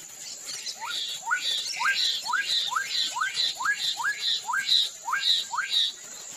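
Black-capped donacobius giving a fast series of about a dozen loud, rising whistled notes, two every second, over a steady high insect whine.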